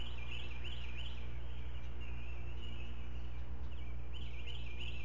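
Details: Four Great Blue Heron chicks in a nest filmed by camera at Chesapeake, 16 May 2017, fed fish one at a time by a parent; wavering, warbling squeals in two bursts separated by a pause, low hum underneath.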